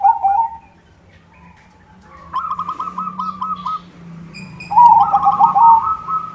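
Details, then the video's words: White zebra dove singing vigorously as a lure: a short coo, then a quiet pause, a series of evenly spaced bubbling notes, and finally a loud, rapid trilled cooing phrase that holds its pitch; a faint low hum underneath. "SUARA PERKUTUT PUTIH GACOR irama bagus, untuk pancingan semua jenis perkutut"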